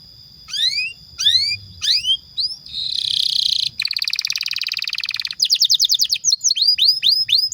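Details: Vocal canary song played to coax caged canaries into singing and tutor juveniles: three spaced downswept whistles, then two dense buzzy rolls, followed by quick rhythmic trills of sharp upslurred notes.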